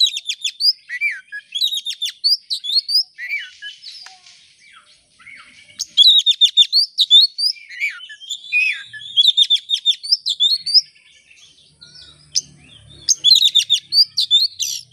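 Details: Oriental magpie-robin song played as a lure to start birds singing, made of mixed whistles, buzzy chatter and quick chirp series coming in bursts with short lulls.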